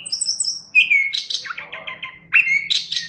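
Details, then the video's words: Chestnut-capped thrush singing vigorously, a tutor recording: high thin whistles, then a loud downslurred whistle running into a trill of quick repeated notes, then another strong whistled phrase with rapid twitters. A faint background hum. "Suara Burung Anis Kembang | Gacor"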